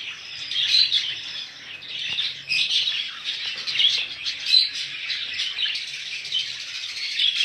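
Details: Budgerigars for sale keep up continuous high, rasping warbles and chirps from many birds at once, with occasional louder squeaks.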